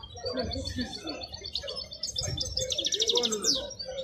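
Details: At the Al-Qurai'a bird market, a wild European goldfinch gives a short burst of bright, high twittering that ends in a quick buzzy trill, with people talking in the background.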